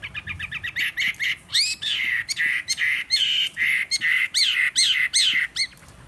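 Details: Caged fighting Chinese hwamei, a wild-caught bird kept three seasons, singing on a table with tail spread, voice slightly hoarse; loud rapid run of clear whistled notes, many sweeping up and down, repeated in quick varied phrases.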